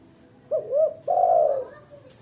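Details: Female spotted dove call for luring and tutoring: a soft wavering double coo rising in pitch, followed at once by a longer, steady, slightly falling coo; quiet hum behind.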